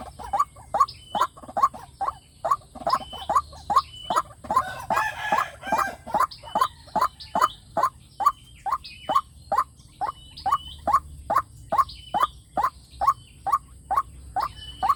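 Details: Lure call of a white-breasted waterhen used to draw in wild waterhens: a long, even run of short, rough notes, roughly two each second. A brief noisy patch of other sound sits near the middle.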